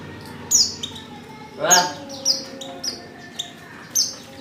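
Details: Female white-eye in heat, calling a male, with sparse high descending chirps about once a second and one brief lower broadband sound in the middle.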